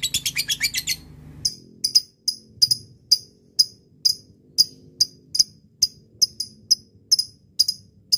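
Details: Lovebird ngekek chatter played as a lure to call a rival: a quick burst of high, sharp chirps, then evenly spaced single piercing chips repeated about every third of a second.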